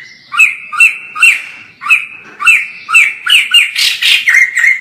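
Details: Far-off white-crested laughingthrush singing: spaced, harsh chuckling notes that speed up into a dense, noisy rattling run before settling onto a sustained tone.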